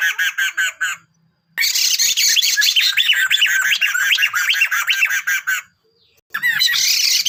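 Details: Sunda laughingthrush pair, male and female, singing: bursts of quick, repeated whistled notes separated by short silences, with a dense middle run of looping rising and falling whistles.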